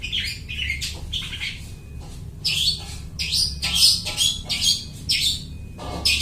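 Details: Long-tailed shrike singing and imitating other birds, suited for luring birds into traps; rapid harsh chirps and squawks, around two per second, loud high bursts over faint low hum.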